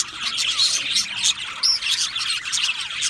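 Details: Budgerigar chirping: dense high twittering from several birds, with a few sharper whistled chirps standing out over the continuous chatter.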